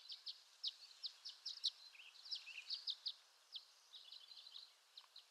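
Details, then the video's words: Violet-green swallow (Tachycineta thalassina) calling: thin, high chips and twitters in quick irregular bursts, several per second, over a soft background hiss. "Violet-Green Swallow Call"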